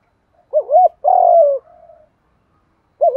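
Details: Spotted dove cooing as a trapping decoy, 'thổ pha' voice: a rolling two-bump coo leads into a long, slightly falling note with a soft trailing murmur. A new phrase begins at the end.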